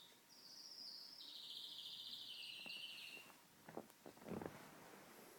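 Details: Pet canary singing indoors: a long high sizzling trill that drops a step partway through and runs for about three seconds, followed by several sharp clicks and taps of household noise.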